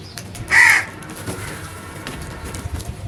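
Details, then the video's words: A single strong, harsh caw from a crow, short and rough, followed by faint distant noises and low rumble. "The Smart Crows Genuine and Natural Sounds loudly"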